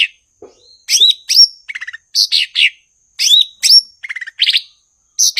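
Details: Blue-winged leafbird (cucak ijo) from Indonesia: short spaced phrases of buzzy, stuttering notes and slurred whistles, with a faint low note near the start.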